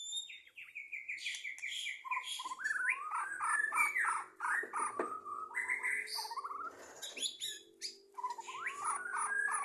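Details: Singing white-rumped shama, 2023, songbird contest context: dense, varied warbling phrases mixing whistles, slurs and scratchy notes, almost continuous, with a faint low drone underneath.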